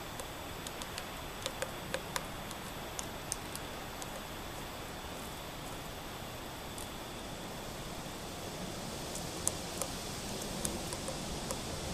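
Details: Steady background hiss with scattered faint clicks and ticks; no clear animal voice.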